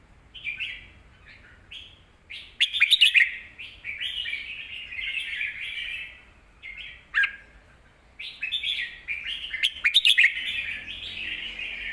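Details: Red-whiskered bulbul singing for teaching young birds: a chain of short, quick whistled and warbled notes, mostly continuous, with loud chattering bursts around three and ten seconds and a brief pause near eight seconds.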